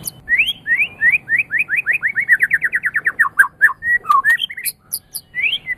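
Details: Champion-quality Medan white-rumped shama singing to get other birds singing: rising whistled notes repeated in a quick steady series, followed by varied slurred and clicking phrases.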